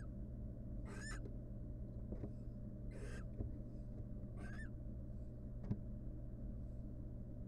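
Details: Wild female barn owl courting the male at the nest before resuming incubation of their eggs. Several short raspy calls with bright twittering, wavering overtones, spaced one to two seconds apart, plus soft knocks and a low hum.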